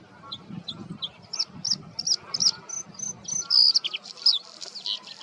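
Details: Bluethroat male defending his patch from the reeds, his song full of imitations. A string of thin high chips builds into louder ringing notes and scratchy, buzzy twitters toward the end, against faint low background noise.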